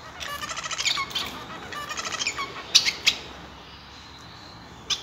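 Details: Male Society finch, also called Bengalese finch, singing: two quick bursts of rapid, buzzy stacked notes in the first three seconds, then a few sharp, high, isolated notes with quiet pauses between them.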